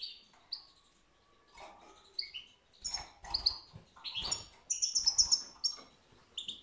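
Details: European goldfinch singing in 2022: busy high twittering with chirps and short buzzy trills, some softer low knocks and rustling noise underneath.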